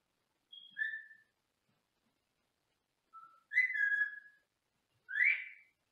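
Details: Senegal parrot whistling in its small cage in another room: a thin note sliding into a lower whistle, then after a pause a louder wavering two-part whistle and a final rising, slurred whistle.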